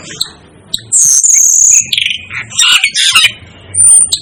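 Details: Asian glossy starling, called a 'devil' bird: a long shrill whistle, then rapid buzzy squeaks and chatter, closing with a clear high whistled note.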